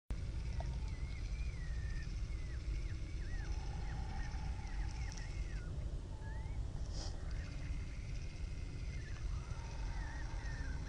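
Eurasian stone-curlews give wailing, slurred whistles rising and falling around mid pitch, several birds overlapping, over a heavy low rumble of wind or engine noise.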